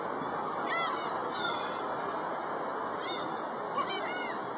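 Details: Black-tailed gulls at Shinobazu Pond, Ueno, Tokyo, on 10 July 2011; one gives a few nasal, mewing calls at irregular intervals, half-buried in a steady roar of background noise.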